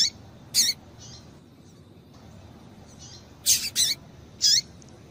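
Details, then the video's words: Calls of a female double-collared seedeater, used to excite males: scattered high, thin chips, some soft and some loud, with a close pair after a pause, then one final note. "Piado de Fêmea de Papa capim Para Esquentar Papacapim"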